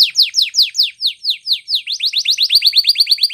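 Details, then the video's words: Training song of a canary, made of steady repeated down-slurred whistled notes that speed up into a quicker, tighter run near the end. "Canary's Most powerfull Song For Training"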